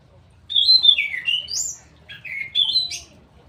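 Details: Straw-headed bulbul song in two loud, clear bursts of rolling, liquid warbles that slide downward and then rise again, with a brief pause between them and a quiet background.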